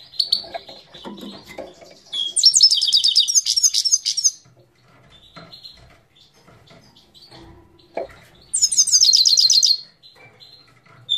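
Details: Himalayan goldfinch singing at Parachinar, 2022: two loud bursts of rapid, bright twittering trills, each lasting about two seconds, separated by quieter scattered chirps and soft background twitter.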